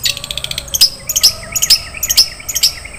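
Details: Long-tailed shrike song in the rich 'isian' fill-in style: quick high chirps and sharp ticks in bursts, with several brighter piercing notes mixed through a busy, varied phrase.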